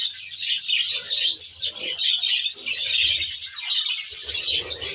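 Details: Many budgerigars in a reserve aviary produce overlapping high, rapid chirps and squeaky warbles, a constant lively flock chorus.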